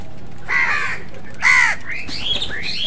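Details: Crows fighting other birds for food give two harsh, hoarse caws, the second louder and shorter. Thin chirps and squeaks from other birds follow near the end.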